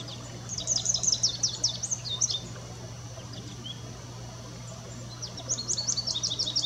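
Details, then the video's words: Song of an American goldfinch in two rapid, high-pitched twittering bursts, one early and one at the end, separated by a pause, with a constant low hum underneath. "American Goldfinch singing"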